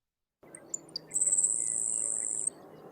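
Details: Grasshopper Sparrow recorded in Sacramento County, California, about 2.5 years earlier: a few faint ticking notes, then a very high, thin insect-like buzz near 8,000 Hz lasting over a second, over low room hum.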